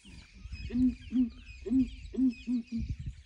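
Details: Morning calling of ground hornbills investigated by a breeding herd of elephants: six deep, resonant hoots in quick pairs and triples, two pitches answering each other, with a faint high background chorus of small birds.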